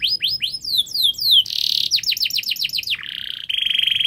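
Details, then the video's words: Canary in loud, full song, used as a master recording to prompt silent or lazy canaries to sing. It gives quick downward-sweeping whistled notes in series, then buzzy bursts and a fast, even, rattling trill, with no pauses over four seconds. "Masteran Kenari Gacor Untuk Pancingan Kenari Macet Bunyi, MalasBunyi Agar Bunyi"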